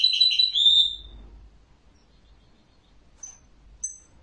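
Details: Burst of fast, high twittering ending in a whistled slur, followed by quiet with two faint, thin high chirps.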